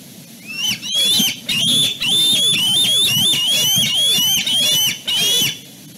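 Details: Young bald eagles at dusk at their nest at Fraser Point, a male and his sister fighting over who got to the branch first. Rapid chattering series of shrill whistled yelps, about ten notes in five seconds, with brief pauses.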